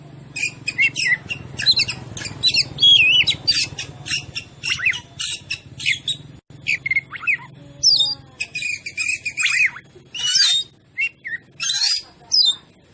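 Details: Oriental magpie-robin (kacer) in full song, played as a master lure to rile other birds: dense run of rapid whistles, harsh squawky notes and chatter with a low hum beneath.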